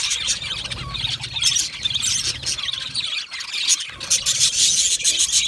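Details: Budgerigars in a colony chirping while happy and comfortable: dense, overlapping high chirps and warbled chatter pour out almost without pause, with a slight break near the middle and faint low rumble beneath.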